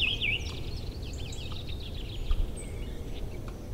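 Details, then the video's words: Early spring, April, forest and meadows near a river cleared of ice: a clear warbled phrase opens, followed by soft distant chattering notes from other birds over a low steady rushing background. "Songs birds in early spring."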